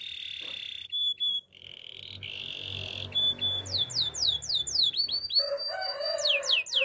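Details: Canary song used for training canaries: high sustained whistled tones and short pure notes, then a rapid sequence of sweeping downward-slurred whistles and trills, with a lower buzzy note near the end.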